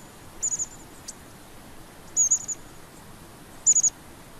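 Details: Long-tailed tit calling with sharp, very high triple-note bursts, each a quick run of thin trilled pulses, spaced irregularly about every one to two seconds against soft background noise.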